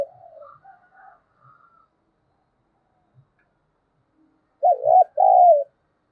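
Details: Spotted dove lure coo, 'giọng thổ' style, meant to provoke other doves into calling: soft scattered chirps and faint low taps, then one clear hoarse two-part coo near the end.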